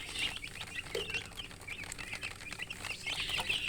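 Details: Young chickens cheep in a chorus of quick, high, piping notes, growing busier at the end, with a faint lower note early on and light scratching noise.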